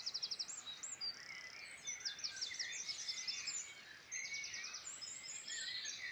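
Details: Several wild birds singing in the Irish Midlands, rapid high buzzy trills repeated in short bursts, mixed with chirps and whistled notes from other birds, against a constant soft rural background noise.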